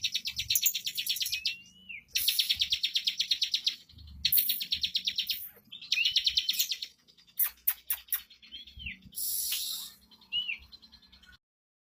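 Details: Caged bar-winged prinia in rapid, tightly packed song: bursts of high, fast, repeated chirping lasting about two seconds each, separated by short gaps, with occasional sharp rising whistles and quick downward notes near the end.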